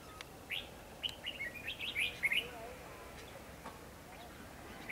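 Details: Decoy red-whiskered bulbul singing to draw wild birds into a trap on 28 March 2016, giving a quick run of bright chirped, warbling notes over about two seconds, then quiet with a distant murmur.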